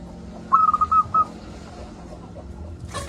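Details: Local zebra dove delivering a single brief phrase of four or five clipped, whistle-like cooing pulses at an even pitch, followed by quiet hum and a short burst of noise at the end.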